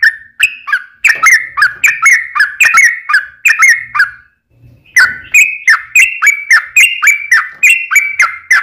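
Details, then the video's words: Yellow-vented bulbul's long rolling fighting song, played to provoke other bulbuls into answering: quick rippling whistled notes, a short pause midway, then a slightly higher continuing run. "KICAU SUARA trucukan gacor TARUNG ROPEL PANJANG"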